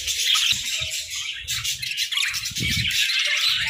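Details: Pet budgerigars in a shared hut, playful and interacting: a busy, high-pitched twittering of many birds overlapping throughout, with brief chirps and some soft low thumps and rustling beneath.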